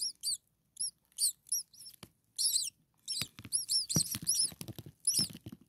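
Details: Hungry starling chicks a few days old, six in one nest, giving thin, very high squeaky begging notes in repeated bursts, with soft rustling and knocks in the nest.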